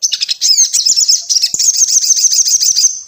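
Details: Crimson Sunbird lure song: an unbroken, rapid, high-pitched twittering with thin slurred whistles, smoothing into a fast, even, buzzy trill.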